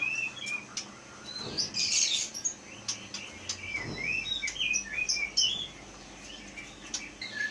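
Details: White-rumped shama from Aceh Leuser, wild-caught young and caged, skilled at copying nearby sounds; sparse high chirps and short whistled upslurs with a brief buzzy burst, quieter phrases against a low steady hum.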